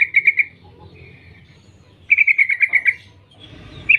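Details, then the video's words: Female sooty-headed bulbul calling males: a short chatter, a softer trill, then a longer run of about eight bright, falling notes, with low hum in the background. "Trucuk BETINA Memanggil Jantan PANGGILAN AMPUH"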